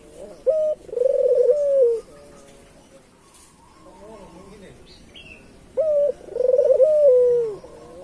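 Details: Island collared dove, a local bird, used to lure other doves: two coo phrases, each a brief clipped high note then a throaty, trilled coo falling at the end, separated by a quiet pause with faint background chirps.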